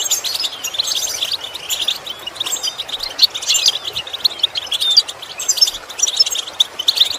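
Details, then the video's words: European goldfinch song played to teach imitation: a continuous, busy stream of high chattering twitters and scattered short whistles over light background hiss. "Training The Goldfinch To imitate Sounds Useful Lessons to improve Song"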